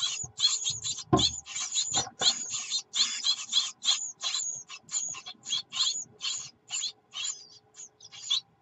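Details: Great tit nestlings begging once their mother arrives with food, recorded 24 June 2019; harsh, hissing, high-pitched calls in rapid bursts, about three or four per second, forming a continuous chorus.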